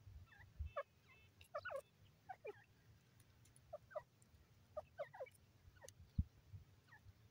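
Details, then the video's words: Female grey francolin, the irani teetar, giving short, bright clucking notes in loose clusters of two to four. Some notes rise and others fall, spaced irregularly over seven seconds above a low steady hum, with one dull thump. "female teetar awaz"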